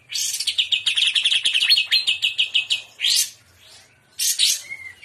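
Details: Energetic trotolan song of a greater green leafbird in shrimp style: a long run of rapid, evenly pulsed buzzy notes for two seconds, then a harsh burst, a pause and another short rasping phrase.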